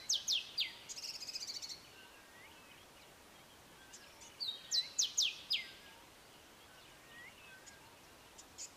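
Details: Grey sunbird male repeating his short, sharp phrased song: fast descending notes, a rapid buzzy trill of ticks, then another whistle-and-falling-notes phrase, with faint distant chirps and steady hiss.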